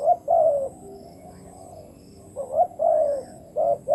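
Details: Captive decoy spotted dove used to lure wild doves, giving low mellow coos in two-part phrases, a short note then a longer sliding one, repeated with quiet gaps between.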